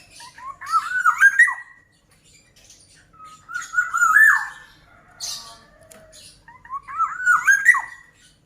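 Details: Black-naped oriole in full song, giving three liquid, fluty whistled phrases about every three seconds, each rising and wavering before a sharp upward flourish, with quiet gaps between.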